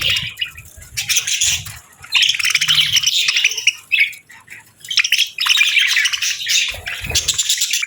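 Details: Several pet parakeets chirping on a winter morning while eating warm meals; dense, rapid warbling chatter and squeaky tweets in bursts, with a short lull near the middle and low thumps of movement underneath.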